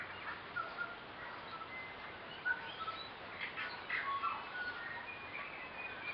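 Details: Tui, around eight of them, socialising in a kowhai tree in the Waitakere hills in spring: thin held whistles and brief chattering phrases over steady background hiss, a louder burst midway.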